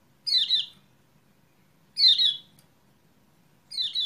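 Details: Lemon-bellied white-eye lure recording from 28/11/20, meant to spur a reluctant bird into singing; three bright, buzzy, descending chirp bursts spaced about one and a half seconds apart against a quiet background.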